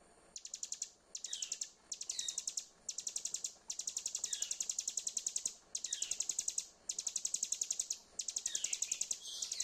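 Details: Hill prinia singing as a lure to restart a bird that has gone quiet: high, rattling chains of rapid identical notes repeated in regular bursts with short gaps, some bursts ending in a faint falling note.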